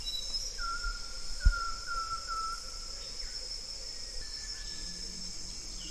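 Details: Series of four short, pure whistled notes on one pitch, each slightly dipping, from a banded yellow robin, followed by a softer lower whistle, with continuous insect buzzing behind.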